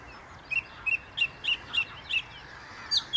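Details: Perched high in a tree by the Inn River, a song thrush sings a clipped note again and again, about seven repeats spaced roughly a third of a second apart, ending with a higher squeaky note.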